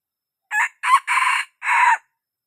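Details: Young wild red junglefowl crowing, a recording used as a lure to draw birds in. One crow in four harsh bursts: two short notes, a longer middle phrase, then a drawn-out final note, against a silent background.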